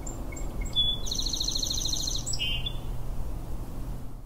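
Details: A sparrow's song: a few thin high whistled notes, then a fast buzzy trill and a lower, shorter trill, repeated after about 10-second gaps, over a low steady background hum.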